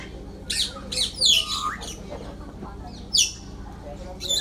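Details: Birds at Bangabandhu Sheikh Mujib Safari Park, Gazipur, Bangladesh, give sharp, high, scratchy call notes in short clusters with pauses between them, over a faint hum of background noise.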